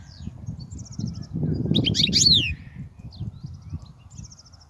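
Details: European goldfinch song for tutoring young birds: faint repeated tinkling notes, then a loud burst of fast high twitters over a rumbling low-pitched background noise that swells and fades.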